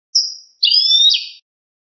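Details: Clean-song European goldfinch (cante limpio) used to teach captive birds: one high piping note, then a brief gap and a sustained twittering, slightly buzzy phrase ending in a lower slur; silent background.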